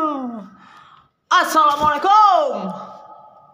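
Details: A young common hill myna talks in a human-like voice: a short phrase, a brief pause, then a louder, rising and falling burst. No other sounds stand out.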